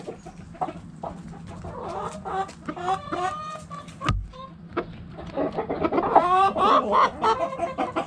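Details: Backyard hens and roosters inside a chicken coop; rapid irregular clucking and cackling from several birds, a sharp knock midway, then louder overlapping squawky calls building toward the end.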